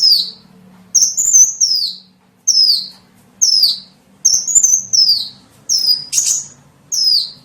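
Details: Small birds' lure calls made of about nine high whistled notes, each curving sharply downward, some paired with a short flat note, repeated about once a second.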